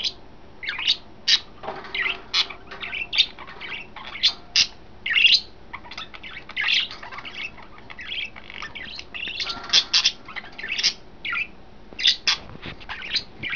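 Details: Three caged budgerigars, yellow, green and white, recorded May 26, 2012 while settling into a new cage, keep a long, lively stream of squeaky chirps and chattering warbles.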